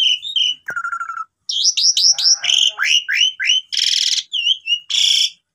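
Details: Singing pied myna used to prompt silent birds into song: short whistles, a held mid-pitch note, then a quick series of descending slurred whistles, harsh rasping bursts and buzzy notes.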